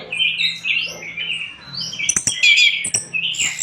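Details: Orange-headed thrush pouring out a fast warbled song for training cage birds, a steady flow of slurred whistled notes, then sharp high chips, over a faint low hum.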